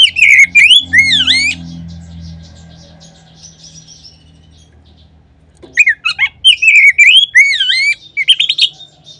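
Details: Oriental magpie-robin song played as a lure to stimulate other magpie-robins to sing. Two bursts of shrill, looping whistles and chattering notes with a quiet gap of about four seconds between them. A low hum is heard during the pause.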